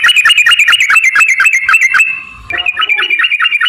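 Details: Yellow-vented bulbul in a loud fighting lure: a very fast, strident rattle of whistled notes pulsing several times a second, breaking off briefly before resuming just as quickly.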